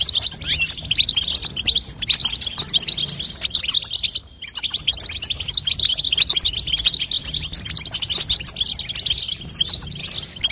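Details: European goldfinch female babtaba chatter for stimulating a young goldfinch to sing: lively high twittering runs on steadily, broken by a brief silence near the middle before the rapid chirping resumes.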